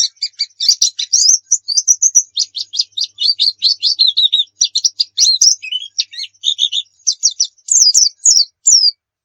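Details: Lively oriental white-eye singing continuously, a tutor recording for teaching other birds: dense, rapid high twitters and sharp chirps run together in long, busy bursts for the whole nine seconds, on a quiet background.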